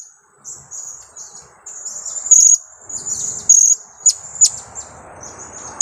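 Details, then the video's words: Young blue-crowned hanging parrot, two weeks old and used to lure birds, giving thin high twitters that build into several sharp, piercing chips toward the end, over a noisy hiss. "junior KIAK²...usia 2 minggu"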